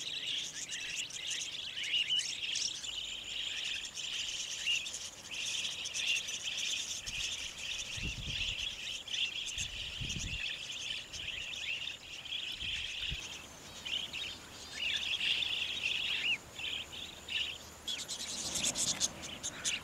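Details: A wild flock of budgerigars in the bush beside the Old South Road on Easter Saturday 2014 keeps up a dense, high chatter of chirps and warbling twitters, with cockatiels, a passing car and wind also audible.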